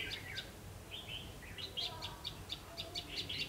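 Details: Red-whiskered bulbul of the ché type at a double spring trap at 5 pm on 3 September 2016: quick chirpy whistled notes and slurred phrases in fast succession, fairly faint against a low rumbling background.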